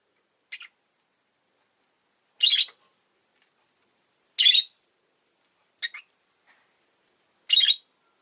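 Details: Pet rosy-faced lovebirds, two together at an entrance, alternate short thin chirps with louder harsh rasping calls, spaced irregularly over several seconds in a quiet setting.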